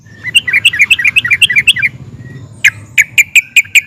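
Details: Sooty-headed bulbul in excited ngeplik and ngerol song that draws replies from other bulbuls: a bubbly run of varied rising and falling whistled notes, then a slower series of sharp separate notes, with low hum behind.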